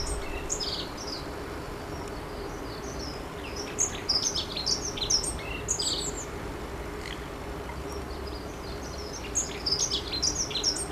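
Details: Long-tailed tit calling: scattered very high thin tsee notes and brief chirps in loose clusters, quieter stretches between, over a constant low hum.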